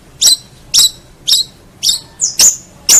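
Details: Long-tailed shrike tutor recording for songbirds: short, sharp, high squeaky notes spaced about half a second apart, one followed by a thin drawn-out whistle.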